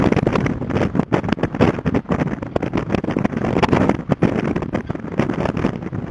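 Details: Loud gusting wind buffets the microphone with rumbling, uneven bursts and no clear calls.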